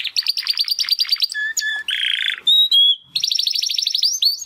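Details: Two Timbrado canary brothers from the 2020 second breeding practise early song after first molt: quick repeated high notes, a harsh buzzy rattle, clear whistled tones, then another rapid run of chirps.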